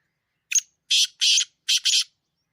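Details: Female black francolin, wild, giving a call said to excite males: a short note followed by two pairs of harsh, buzzy, grating phrases within about two seconds, in clean silence.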